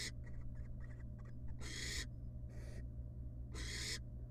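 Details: Wild barn owl mother returning to her young in a nest box after regurgitating a pellet; a run of short faint rasps gives way to three long, loud, breathy hisses, with a softer one between.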